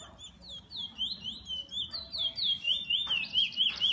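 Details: Kept bullfinch giving bright whistled notes that slide down and loop, in uneven bursts, growing louder and denser toward the end.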